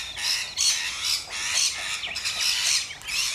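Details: Rainbow lorikeets in Australia: harsh, grating screeches in bursts of about half a second, following one another almost continuously, loud and noisy with no clear tune.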